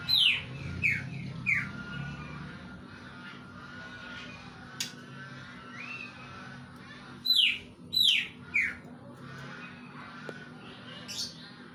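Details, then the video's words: Greater green leafbird giving kingfisher-imitating song material: clusters of loud, sharply descending whistled notes, two or three per burst, with pauses between bursts and a brief softer slurred note, over a faint steady background hum. "Cicak ijo materi cekakak udang"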